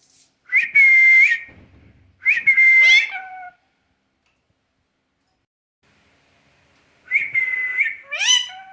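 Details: Talking parrot repeating a flat, piercing whistle three times, each run ending in short bent squawks, separated by long stretches of quiet.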